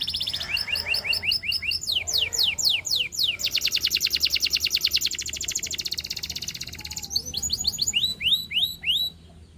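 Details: Lively canary song mixing clipped chirps, sharp falling whistles and a long fast buzzing trill, ending in a few spaced downward-swept notes.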